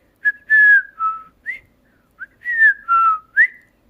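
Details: Pet cockatiel in a room, being taught to talk and sing, whistles a tune. About eight pure notes, some held and level, others short and rising, fall into two similar phrases with pauses between.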